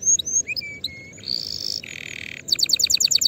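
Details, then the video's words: Canary song for tutoring young birds ahead of next season: scattered high whistled slurs and low flat notes, a hissing buzz, a dense low rattle, then a loud rapid trill of bright pulsed notes. "تغريد كناري لتسميع وتجهيز الفراخ مبكرا لموسم القادم"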